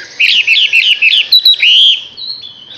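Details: A six-month-old Chinese hwamei sings a rapid run of rich, varied whistled notes, some warbling and some slurred into longer clear whistles, with no other sounds.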